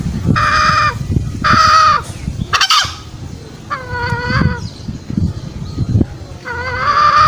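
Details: Green junglefowl lure sound for trapping wild birds in the forest. A few separate, drawn-out, nasal harmonic calls, some bending slightly in pitch, with gaps of low rumbling noise between them.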